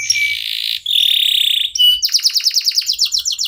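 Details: Local canary singing as a prompting song for other birds: long rasping buzzy trills held almost a second each, broken by brief pauses, then a fast series of sharp descending chirps repeated about seven times a second.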